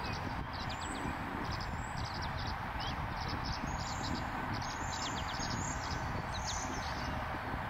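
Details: Tree swallow pair at Keeney Cove on 6 May 2024, female with left eye closed, give thin, high chirps in quick, irregular bursts over a steady low rumble of wind or distant traffic.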